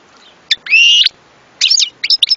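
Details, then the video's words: European goldfinch song: a clipped note, a long buzzy wheeze, then a burst of liquid twittering chirps, all high-pitched and clear. "صوت حسون"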